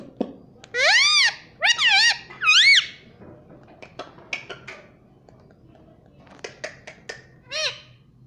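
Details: Pet green parrot indoors, said to be saying "mummy": three loud arched, rise-and-fall harmonic syllables in quick succession, then quieter clicks and one shorter arched note near the end, in a small room.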